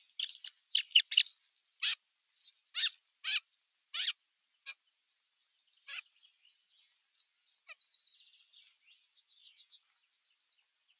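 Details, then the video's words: Bigger osprey chicks scuffling at nest no. 1, 15 June 2023, with an adult watching: a string of sharp, high, clipped chirps for about four seconds, then scattered faint ticks and thin distant peeps. "Isompien poikasten nahistelua"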